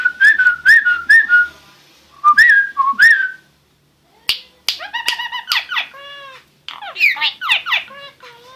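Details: Singing starling: a few rising and falling whistles repeated, then a sharp click, followed by a jumble of rippling, arched whistled notes and squeaky chatter.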